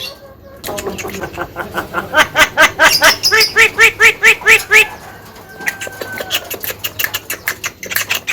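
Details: Javan myna giving a fast series of harsh, nasal chattering notes, about three per second, loudest in the middle, then softer clicks and a thin whistle toward the end.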